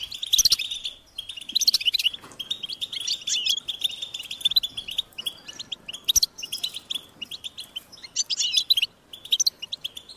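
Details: European goldfinch chicks calling parents to feed them: loud high chirping bursts separated by short gaps, dense twittering from several birds, with sharp upper notes in places.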